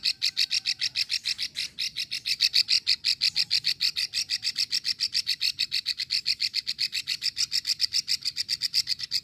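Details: Female plain prinia in Ulujami, Central Java, giving a long rattling call used to lure males into calling: a fast, steady series of dry high clicks, about three to four each second, continuing unbroken for the whole stretch.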